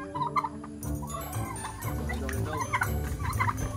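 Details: Kept turkeys in the countryside give a rapid, low, bubbling gobble with throaty chatter; a faint musical background runs underneath.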